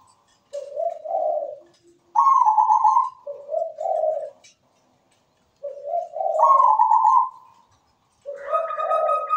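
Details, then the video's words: Melodious zebra dove (perkutut) song with good rhythm from a perched bird: pairs of low purring coos and higher rolling trills, repeated in two clear sequences. "PERKUTUT GACOR SUARA MERDU"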